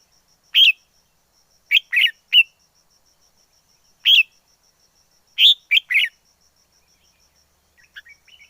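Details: Red-whiskered bulbul in the wild, singing short lively phrases of two or three quick whistled notes, separated by gaps of one to two seconds, ending in faint twittering; little else audible.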